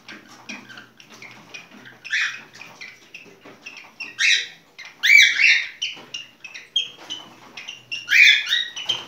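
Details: Cockatiel singing its mating song: bright chirps and whistled notes, some rising and falling, come in uneven bursts, with louder phrases near the middle and end.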